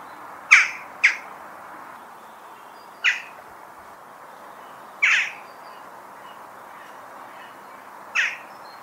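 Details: Western jackdaw uttering abrupt, clipped 'tchak' notes: a quick double call, then single calls spaced about two to three seconds apart against a soft hissing background.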